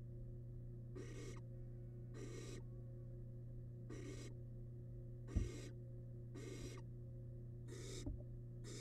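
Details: Wild barn owl nestling inside a nest box while devouring large rabbit remains: seven rasping, breathy hisses spaced about a second apart, with a constant low hum and a couple of sharp knocks.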